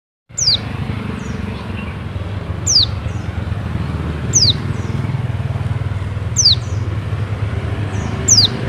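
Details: Oriental white-eye (Bali 'pleci dakun') call: thin, high descending notes, about one every two seconds, over a steady low engine-like rumble.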